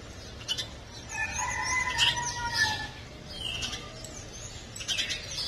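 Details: Young house sparrow calling: a few quick clicky chirps, then a longer drawn-out, slightly wavering tonal note, followed by more brief chirps against low background rumble.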